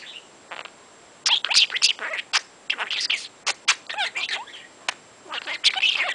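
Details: Pet talking budgie, wide awake in the morning after listening to music, chattering nonstop: rapid scratchy warbles, clicks and squeaky chirps in quick irregular bursts, indoors with a faint constant hiss.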